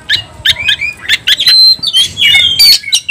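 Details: Brief burst of oriental magpie-robin fighting song, used to provoke other magpie-robins to sing and fight: choppy harsh notes alternating with clear high whistles, ending in a louder buzzy rising phrase.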